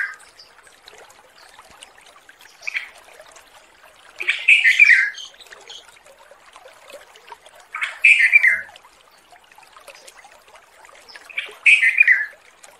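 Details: A wild male sooty-headed bulbul near Sancang calls to a female. Four bubbly, descending phrases come roughly every three to four seconds, the first faint, with quiet twittering and a soft watery trickle between them.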